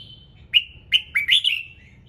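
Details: Morning song of a red-whiskered bulbul, meant to trigger other birds: a thin level whistle, then a lively phrase of four or five sharp, slurred whistled notes trailing off downward.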